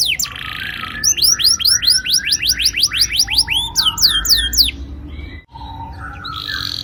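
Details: Canary giving a long rolling song, used as a lure to get young canaries singing: rapid series of clear rising whistled sweeps repeated several times a second, broken by a short pause, then lower notes returning.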